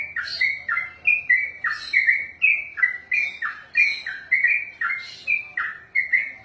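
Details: Trained sooty-headed bulbul kept for competitions, singing a long ropel sequence: some twenty sweet, slurred chirps in rapid series, occasional brighter overtone bursts, steady pace, quiet low background noise.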